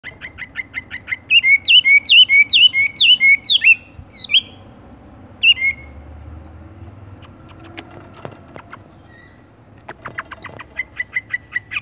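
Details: Horsfield's bush lark song in the rolling 'tung roll gantung' style: quick runs of short whistled notes, some rising, repeated in bursts, then a quiet pause with faint clicks before a renewed rapid trill.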